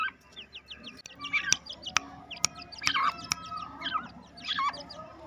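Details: Black francolin chicks two months old, released into a home aviary and said to be happy, utter quick high chirping runs and short squeaky notes, with several sharp taps and clicks in the background.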